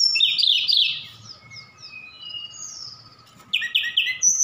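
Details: Javan bush lark from Sukabumi, song packed with imitations of cililin, sikatan londo and others; an opening rush of warbled notes, softer descending whistles, then a loud rhythmic chatter and a final high whistle.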